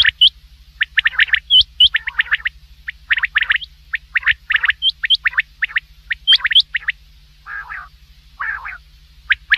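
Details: Night-time common quail giving rapid runs of sharp, rising notes in dense groups, with a few softer nasal calls near the end.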